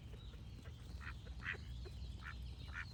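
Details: Duck giving a few short, nasal quacks spaced roughly half a second apart, over a low steady rumble.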